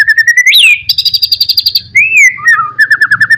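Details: Singing white-rumped shama used as a rival-provoking lure: pulsed repeated notes, a rising whistle, a buzzy stretch, a slurred whistle and a quick run of repeated chips.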